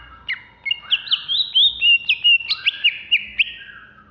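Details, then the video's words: Contest-ready caged greater green leafbird, Alas Purwo type, Jatiasih, Bekasi, in agitated song: a fast, fairly steady stream of bright looping whistles, roughly four notes per second, ending in a fading slur. "Cucak Hijau Alas Purwo Ngamuk"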